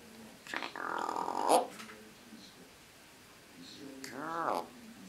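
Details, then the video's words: Pet female eclectus parrot indoors, swaying as she talks in a man's voice; two separate speech-like utterances, a rasping harmonic phrase followed after a pause by a rising-and-falling nasal syllable. "Jenny, the eclectus parrot dancing and talking"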